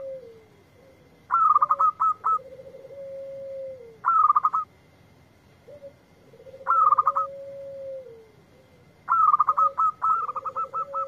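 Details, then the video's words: A local zebra dove answering a lure recording sings short rapid volleys of clipped cooing notes roughly every two to three seconds. Lower, smooth, drawn-out coos fill the gaps between them. A steady faint hum sits in the background. "Perkutut Lokal Gacor yang ND4blek langsung nyaut"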